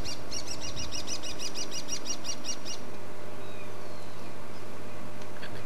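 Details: Brown-hooded kingfisher hidden in a bush near elephants on a sunrise drive, hunting insects: a quick series of about nine sharp, high piping notes over two and a half seconds, over a steady low engine rumble.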